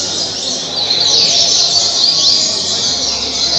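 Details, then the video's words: Caged coleiro, Double-collared seedeater, at Mambucaba park, Angra dos Reis, singing caribe style: continuous high warbling with thin whistled upward slides, over a steady noisy hiss. "Coleiro caribe 226 cantos"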